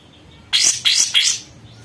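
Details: Sooty-headed bulbul, a cage bird kept one month and singing eagerly, gives three loud, sharp chirps in quick succession, each sweeping steeply down, spaced about a third of a second apart.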